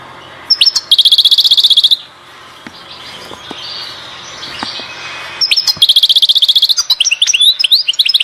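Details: European goldfinch singing at Oued Zhour, Skikda: two bursts of a rapid, buzzy, high trill, each about a second long, separated by a quiet pause, then a final run of sharp twittering notes.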